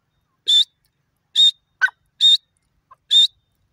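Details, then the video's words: Grey francolin pair: short, sharp, high notes with a strained, harmonic ring, repeated roughly every second, with a softer lower note between two of them. "teetar ki boli dakhni teetar pair voice"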